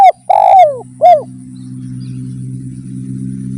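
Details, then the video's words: Spotted dove cooing as a lure to get other doves singing: a short note, then a loud, rich, arching coo and a final downward-curving coo, followed by steady low hum. "PANCINGAN BURUNG DERKUKU GACOR || YANG DENGER PASTI IKUT GACOR"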